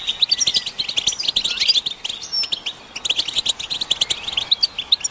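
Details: Collective European goldfinch twittering, intended to make males sing without pause; clustered bursts of sharp high chirps and trills, separated by short lulls, several birds overlapping.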